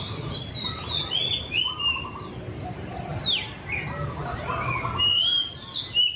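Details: White-rumped shama (murai cacing) singing a varied run of clear, slurred whistled phrases, some rising and some falling, delivered in quick succession over a steady background hiss and low rumble.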